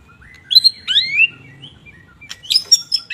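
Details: White-rumped shama singing, played to stimulate idle shamas: high whistled slurs and chirps, a pause, then a cluster of sharp, very high notes.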